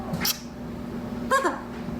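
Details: A pet Blue-throated Macaw indoors, mimicking its owner's kiss on the cue "gimme kiss": a quick, wet smacking kiss noise, then a brief voiced burst about a second later, in a quiet room.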